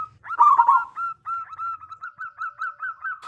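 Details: Local zebra dove with a big voice, recorded as a lure to set other doves singing: a rolling trill, then a steady series of about twelve short rising-falling coos.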